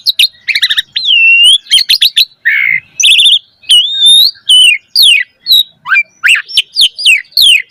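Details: Javan pied starling, young bird, singing a rich varied song of rising whistles, quick chirp clusters, a harsh squawk and steeply swept notes repeated in quick succession.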